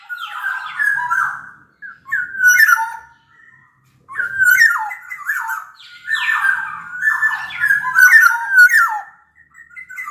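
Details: Black-naped oriole from Sumbawa, a large-bodied local bird, in full song: rich fluting whistles near the middle register with descending slurs and harsh nasal edges, delivered in phrases separated by short pauses.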